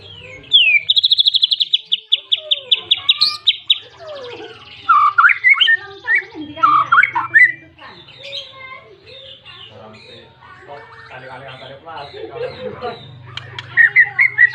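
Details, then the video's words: White-rumped shama in full, insistent song meant to call a rival and provoke other shamas to sing; a fast trill of repeated high notes, then varied slurred whistles, chatters and harsh rasping phrases. "Pancingan burung murai"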